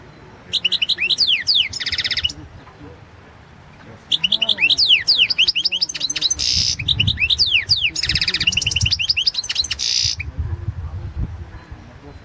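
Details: European goldfinch performing in the 2016 World Championship in Goldfinch Song: repeated bursts of rapid, sweeping twitters alternating with harsh, buzzy rattles, separated by brief pauses.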